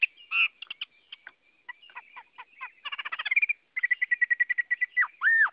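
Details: Quieter Chinese hwamei song: a varied jumble of chirps and short trills, a rapid stuttering series, then a level repeated whistle. It ends with two loud, arched whistled notes.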